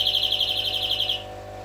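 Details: A short burst of European greenfinch song: a rapid, regular trill of bright repeated notes ending after about a second, backed by a low steady hum.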